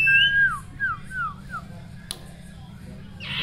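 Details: Male sirtu singing to provoke rivals, used as a lure for ombyokan: a clear whistle followed by four falling, slurred whistled notes in quick succession, then a sharp click and a brief noisy burst over a low steady hum.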